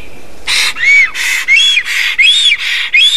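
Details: Black storks in Estonia on 7 April 2019, giving a loud greeting amid preening and courtship: a rapid series of harsh, wheezy bursts, each carrying an arched whistled tone, pulsing about twice a second.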